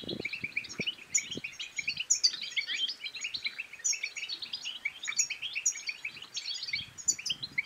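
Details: Lively European goldfinch song for encouraging singing and breeding: busy, tinkling high twitters with repeated sharp bright accents roughly every second, plus soft low thuds near the start.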